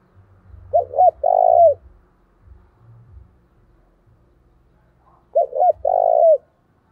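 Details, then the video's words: Spotted dove used as a decoy, calling hard to stir rivals into fighting: a phrase of two quick hooked coos and one drawn-out coo, repeated twice over low rumbling knocks. "Chim Cu Mồi/ cu gáy thúc đấu cực sung vang một vùng"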